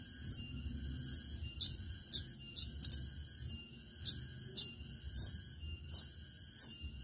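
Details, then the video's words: Long-tailed shrike in full 'tarung tajam' (sharp fighting) song, used as a lure to make other shrikes sing: sharp, high, clipped notes, some with quick upward flicks, repeated roughly every half second to second over a faint low hum. "Cendet gacor Tarung Tajam Bikin cendet lain terpancing ikut Gacor"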